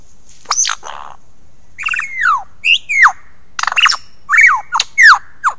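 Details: Australian lyrebird, a forest and garden dweller known for imitating sounds, gives loud, sharply descending whistles and squawks in separate bursts about a second apart, with short clicks between, against a quiet background.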